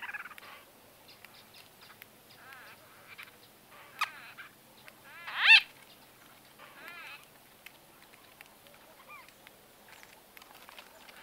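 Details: White-fronted bee-eaters in close conversation trade short, rolling, nasal calls in scattered bursts, with one louder squawk and a few faint chirps between; exact recording date not known.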